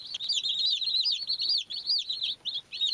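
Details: Baby chicks peeping constantly, a rapid run of high, slurred cheeps that overlap with almost no pause, ending in a few separated peeps.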